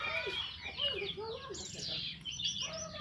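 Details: Morning ngeplong song of an orange-headed thrush, meant to prompt silent thrushes into song: quick, varied, warbling phrases with short mellow low notes mixed among bright high whistles, uninterrupted throughout.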